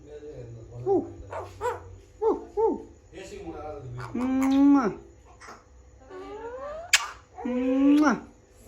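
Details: Pet parrot talking: a series of short, curved harmonic utterances, some drawn out and rising then falling, with pauses between phrases and soft music in the background.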